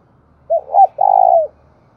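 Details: Spotted dove kept as a decoy to attract wild doves. It gives a brief two-part hooting note, then one sustained low coo that slides downward as it ends, against a silent background.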